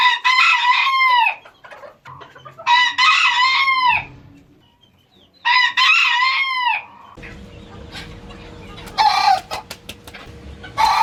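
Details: Rooster, one of several kinds of roosters shown, crows three times: long, loud, harmonic cries that rise then fall and end in a drawn-out tail. Steady background noise and scattered clicks follow.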